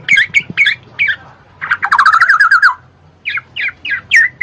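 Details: Black-naped oriole song played to coax lazy birds into singing: a few short chattered notes, then a quick warbling trill sliding downward, followed by spaced, slightly rising chirps.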